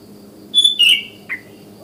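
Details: A wild sooty-headed bulbul calls at morning to other bulbuls: a high steady whistle slurring downward into a rich note, then a short separate falling chirp, over faint background hum.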